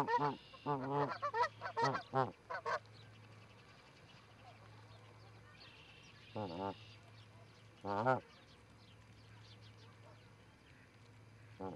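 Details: Canada goose pair visiting an osprey nest, Charlo, Montana, 7 April 2018, live nest camera: a burst of several loud honks at the start, then long quiet broken by two more single honks.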